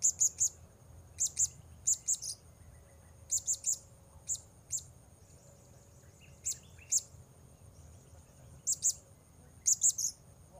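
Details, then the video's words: Blue-crowned hanging parrot calling during a session luring wild birds: repeated clusters of two or three shrill, high-pitched clipped notes, coming every second or so throughout, with a few softer lower chirps and constant background hiss. "Memikat Serindit Di Port Baru"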